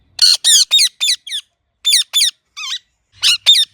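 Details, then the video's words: Ringneck parrot in natural chirping: loud, rapid series of short raspy screeches, about five in a row, a pause, then further bursts including one lower, wavering note. "Ringneck Parrot Natural Chirping Sounds"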